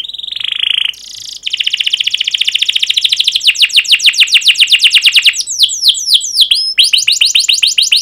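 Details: Lively canary singing to stimulate other canaries: a brief steady high whistle, then a long rapid roll of repeated clipped notes that speeds and strengthens, ending in sharp down-slurred cuit-cuit notes.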